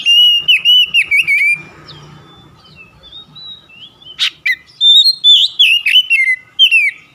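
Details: Oriental magpie-robin (kacer) lure song to prompt singing: a fast repeated string of similar whistled notes, a quiet pause, a sharp burst, then varied rising and falling whistles.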